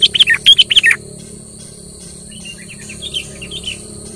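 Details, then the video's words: Kutilang, the sooty-headed bulbul, singing lively to provoke a quiet bird into song: a quick burst of loud, bubbly, slurred whistled notes in the first second, then soft distant chattering over a steady high electrical hum. "suara burung KUTILANG GACOR pancing emosi kutilang pendiam"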